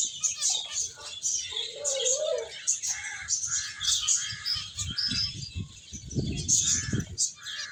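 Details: Finches playing and eating, a dense overlapping chorus of high, thin chirps and twitters throughout, with brief lower warbling notes and some low thumping and rumbling noise near the end.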